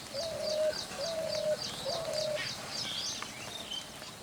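A spotted dove gives three soft, low, drawn-out coos about a second apart, while small birds chirp high and rapidly in the background.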